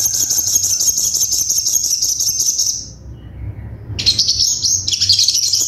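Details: Crimson sunbird with sharp, full 'tembakan' song for training: a sustained, very high, fast-pulsed trill lasting about three seconds, a brief silence, then two more shrill rapid trills.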